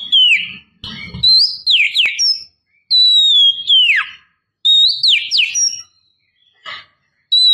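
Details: Oriental magpie-robin female calling to lure a male, giving bright whistled phrases of level notes and sharp downward slurs about every two seconds, with a brief low rustle near the start.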